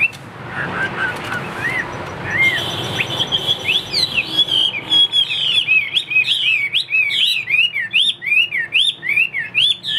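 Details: Caged Chinese hwamei kept for sale: faint scattered phrases over background noise at first, then after four seconds a loud run of clear, rapidly repeated slurred whistles, rising and falling notes delivered in quick succession.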